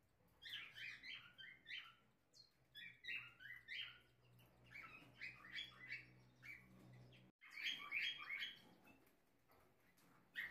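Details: Pair of Blue-black grosbeaks tending their chicks in a breeder's aviary in Minas Gerais, Brazil: bursts of short chirpy notes repeated rapidly, several birds calling together, with a low steady hum underneath and a brief break near the end.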